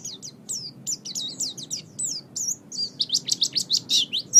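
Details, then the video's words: Pleci, the Oriental white-eye, in a training recording for songbirds: a continuous stream of quick, high, slurred chirps and whistles that grows louder and more insistent toward the end, with a faint low hum underneath. "Ocehan Burung Pleci"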